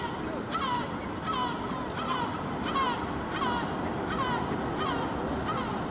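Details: A parent Herring Gull on a rooftop in Helsinki, Finland, July 2016, watching its fledgling, gives harsh, nasal calls, each slurring downward, about every three-quarters of a second over steady background noise.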